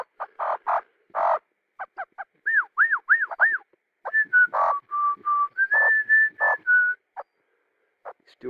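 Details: A 9-month-old pet male Australian magpie perched on a stump by a garden pond sings a varied run of fluty, warbling notes: quick arched whistles, then sustained level tones and short broken phrases.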